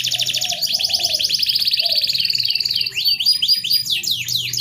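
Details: Canary song aimed at a canary hard to bring into breeding condition: a dense high buzzing trill, then a run of rapid zigzag whistles, over soft low warbles and hum.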